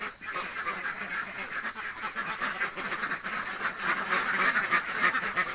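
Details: Village ducks said to be very hungry quack insistently, overlapping nasal calls growing louder and busier over the last seconds.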